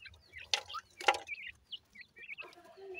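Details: Several grey francolin chicks peep in short, high, slightly slurred notes. Two loud clicking knocks near the start and a lower tonal sound at the end break in.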